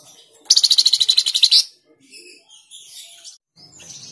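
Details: Flamboyan bird singing Tledekan Jati, a recording for prompting caged birds: one strong, fast, high trill of about a dozen sharp notes lasting a second, followed by softer, scratchy high twitters.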